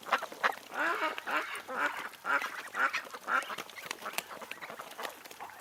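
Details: Ducks and drakes on Tsnyanka Reservoir in Minsk in July, quacking in a rhythmic series of harsh, nasal calls about twice a second, several birds overlapping.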